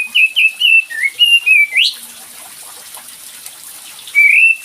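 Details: Lure song of a cream-vented bulbul for a bird slow to sing: a quick run of bright, slurred whistles ending in a sharp upward sweep, then silence and one more whistle, with watery hiss behind.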